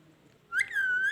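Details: Parrot giving a clear tonal whistle that rises sharply, then holds steady and lifts slightly at the end, in a quiet setting.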